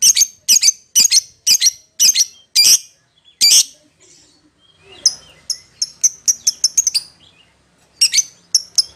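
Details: Lovebird calling to its companion with loud, sharp chirps in an uneven series, a brief lull, then a quicker run of thinner high chips and a few final notes.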